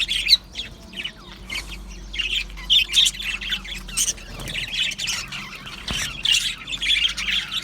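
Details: Aviary colony of Australian budgie parrots giving sparser bursts of chirps and sharp squawks, with short quieter gaps between clusters of high twittering calls. A low steady hum sits in the background.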